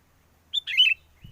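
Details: Sooty-headed bulbul lure song used for trapping birds, in strong wind: one crisp, warbling phrase that rises and then tumbles down, followed by a brief low thump.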